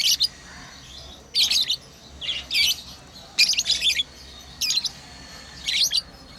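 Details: Pet lovebirds playing chirp in chattering high bursts, each a cluster of quick scratchy squeaks, repeated roughly every second with short silences.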